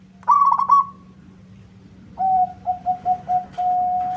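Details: Singing zebra dove of a local type, urging a rival to reply: a brief rolling trill, a pause, then a run of short level coos finishing on one long sustained coo. A faint constant low hum runs throughout.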